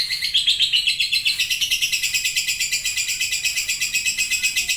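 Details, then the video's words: Lovebird performing ngekek, a long chattering song: fast, harsh, pulsing chatter about four beats per second, very high and steady in pitch, continuing evenly with a slight fade and no pauses. "LOVEBIRD NGETIK LANJUT NGEKEK PANJANG"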